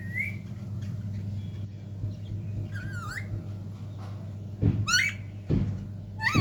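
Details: Talking parrots indoors produce a few wavering, bending harmonic calls and short screeches, mixed with low thumps and a constant background hum.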